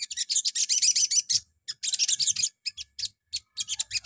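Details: Morning lure song of the little spiderhunter (sogon), played to provoke other birds into singing: dense, rapid high chattering trills in long bursts with short gaps, with faint low thumps underneath.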